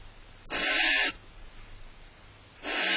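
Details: Annoyed female barn owl protesting inside her nest box in June while the male helps himself to stored prey. A long rasping hiss is followed by a second one starting near the end, both broad and noisy.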